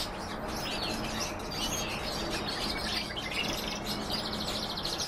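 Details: Hybrid of canary and European goldfinch singing: rapid high chirps and warbled twists running into a dry, rattling trill late in the phrase, set against constant hissing background noise.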